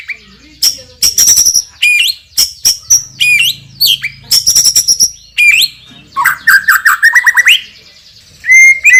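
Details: Champion white-rumped shama with a loud, strong voice and rich fill phrases: fast, varied bursts of sharp whistles, high upsweeps near the top of hearing, rapid clicks and a lower warbling run, separated by brief pauses.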